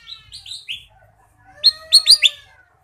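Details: Lively Ruby-throated bulbul song with fill-in phrases: a few soft rising whistles, a brief lull with a faint drawn-out tone, then four loud, bright upslurred notes in quick succession.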